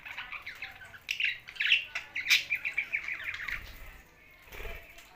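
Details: Budgies living alongside parrots, Larkana, Sindh: soft warbling gives way to a loud stretch of rapid, rhythmic chirps, then fades to quiet with a few low knocks.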